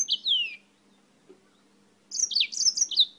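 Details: A yellow-fronted canary, a bird from Spain, gives a short descending whistle, then after a pause a fast jumbled series of bright high chirps.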